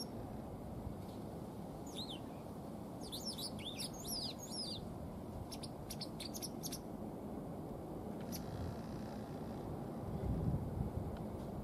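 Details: Tame white wagtail that has not mated with its partner this spring. A brief chirp, then a rapid burst of high, slurred twittering notes around the middle, a few isolated chirps after, over constant low-pitched background hum.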